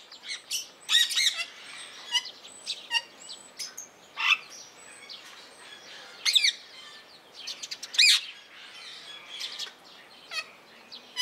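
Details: Blue mutation Rose-ringed parakeet held in a zoo in Opole, giving loud, harsh, abrupt calls in short bursts near one, four, six and eight seconds, with many fainter chirps and twitters from other birds throughout.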